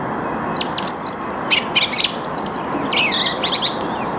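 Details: Early-morning song of a song thrush, 8 March 2022 at 08:10 in the Saarn-Mendener Ruhraue floodplain, Mülheim an der Ruhr, captured on a Canon EOS R5: bursts of high, sharp chirping notes and short twittering phrases above constant rushing background noise.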